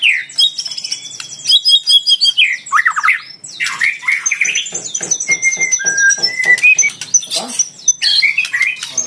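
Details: Fighter white-rumped shama in full song to challenge a rival; loud varied phrases of chirps, downward-swooping slurs and thin sustained high whistles, with clicking notes between them.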